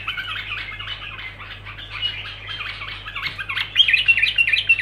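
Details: Continuous bulbul song: rhythmic run of short, downward-slurred squeaky notes, growing louder toward the end with clear whistled accents, over a low hum.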